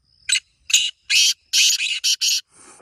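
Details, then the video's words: Black francolin, known locally as kala teetar, calling: a rapid run of about seven harsh, rasping, broadband notes, two short clipped notes first, then longer grating bursts in a quick stuttering rhythm, ending in a faint hiss. "کالے تیتر کی مست آوازیں 🔊 | یہ آواز سن کر تیتر ضرور بولے گا | Original Black Teetar Sound"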